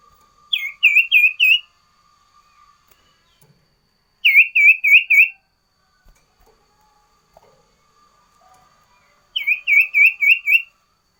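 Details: Sooty-headed bulbul singing its variation song loudly and tirelessly: three separate bursts of four to five rapid, swooping whistled notes, each about four seconds apart, over a faint hum.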